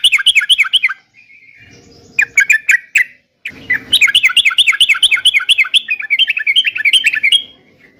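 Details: Yellow-vented bulbul in vigorous song, intended to make caged birds respond: quick rattling phrases of slurred chirps separated by short quiet gaps, ending in a long, fast chattering run.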